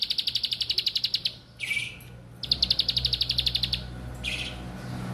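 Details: Bar-winged prinia song, used to get birds that are lazy about calling to sing and learners to become active: fast, dry, high ticking trills of regular clicks, broken by a short rising whistled note, then the trill starts again, over low background hum.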